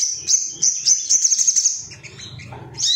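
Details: Ruby-cheeked sunbird male singing excitedly to challenge rivals, a quick run of high thin chirps about three per second, a pause, then a sharp high note.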